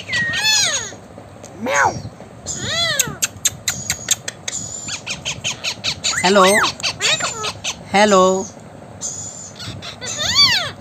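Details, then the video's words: Blue Indian ringneck parakeet talking: a run of clear, arched, voice-like syllables with rich harmonics, some rising and falling, mixed with sharp high squawks and clicks, over faint background hiss. "talking blue parrot"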